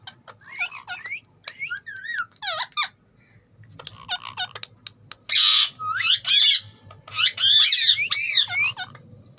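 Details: Green ringneck parrot kept as a pet, talking: a run of high, rising-and-falling chattered syllables, with loud harsh squawks in the second half.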